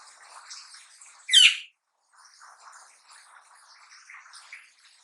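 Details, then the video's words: A young black-naped oriole in Java, finished with its spotted juvenile plumage and learning the 'ploong' song, lets out one sharp nasal rasp amid a low, continuous scratchy twitter. "suara anak burung kepodang lepas trotol belajar PLOONG"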